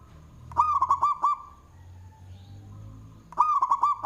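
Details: Local zebra dove with a loud voice, singing and used as a decoy. Two bursts of fast, rolling looped coos with clicking attacks are separated by about two seconds of quiet with low background hum.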